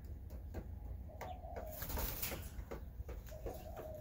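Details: Paired spotted doves giving soft, low cooing phrases twice, a short rolling coo near the start and another toward the end, over steady low hum with scattered clicks and tapping sounds.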